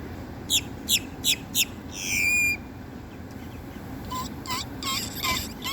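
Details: Great-tailed grackle calling: four sharp, descending harsh notes evenly spaced, then a long rising-and-falling whistled squeal, followed by a quieter series of rasping, clicking notes.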